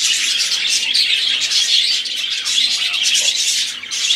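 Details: A group of budgerigars keeps up a busy warbling chorus: rapid chirps, trills and thin whistles overlap without break, with a brief dip in intensity midway before resuming.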